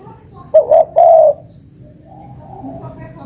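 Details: Single spotted dove phrase used as a lure: two short hollow coos followed by a longer gliding coo, then a quiet low hum.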